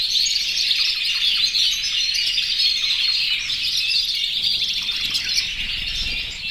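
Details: In an aviary, more than a hundred yellow, red and white canaries in breeding condition sing to call the female, with many voices blending into constant high warbles and quick repeated trills that ease slightly at the end.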